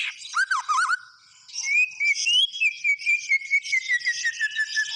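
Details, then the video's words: Energetic white-rumped shama song opening with looping slurred whistles, a brief pause, then a long steady train of quick repeated whistled notes over a buzzy chatter. "SUARA BURUNG MURAI BATU GACOR"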